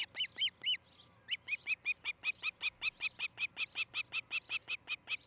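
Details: Osprey at its nest in Charlo, Montana, filmed by nest camera on a July 2018 morning: a few slurred, up-and-down whistles, then a steady run of sharp, piping chirps, close to three each second.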